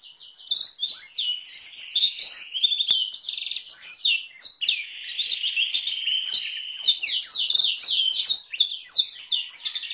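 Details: Canary song with Blackthroat roll variations, used as a long tutoring recording for canaries and white-rumped shamas: fast, continuous high warbling of sweeping trills and slurred notes with no pause.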